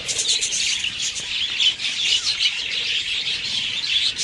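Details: Budgerigars in a breeding colony, many birds calling at once in a dense, continuous, warbling chatter of high chirps and squeaks.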